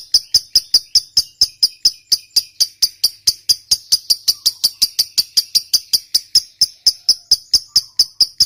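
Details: Lovebird delivering a long ngekek trill, a stimulus meant to get quiet lovebirds calling: rapid, even, high-pitched chipping notes repeated about four times a second for the whole stretch, unbroken.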